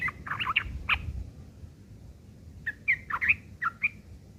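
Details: Scattered rough chirps of a yellow-vented bulbul's ngeriwik chatter, meant for tutoring long-tailed shrikes; two short clusters of squawky, grating notes are separated by a pause.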